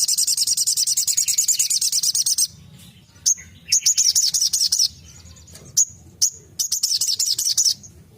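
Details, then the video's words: Sogon song opening with a sustained fast, high buzzy trill, followed by short chattering phrases and crisp whistled notes spaced between them, over a quiet low background rumble. "Tembakan burung sogon"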